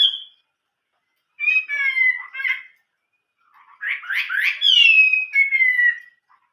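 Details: Chinese hwamei singing: a short high note, then varied slurred whistles, a burst of harsher rising notes and long descending clear whistles.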